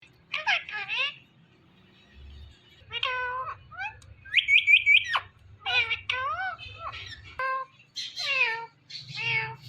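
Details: Indian ringneck parakeet indoors, talking in a series of short, harmonic, speech-like phrases with squeaky high notes and a buzzy trilled call in the middle, with a low background hum.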